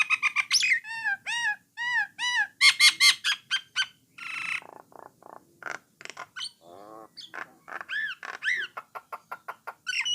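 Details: A Jalak Nias or Jalak Coklat starling sings, a song meant to coax other starlings into singing. Arched whistled notes in quick series, crisp clicks, a brief harsh burst and more repeated whistles and chips fill the phrase.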